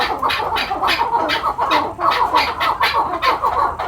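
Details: Farm-kept chukar partridge in Quetta giving a fast, rhythmic chattering call, harsh chuk-chuk notes about one and a half per second rising and falling in volume, several birds seemingly calling together.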